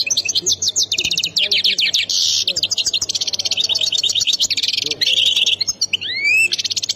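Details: European goldfinch from the Khemis Miliana sector, Ain Defla province, Algeria, singing a fast, continuous run of high twittering trills and buzzy rattles, ending with rising whistled slurs; a low steady hum underneath.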